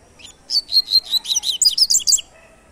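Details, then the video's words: Double-collared seedeater in its "tui tui" three-note song type, a fast, loud string of roughly ten sharp, high whistled notes, the later ones rising and more metallic, with little background noise. "tui tui 3 nota"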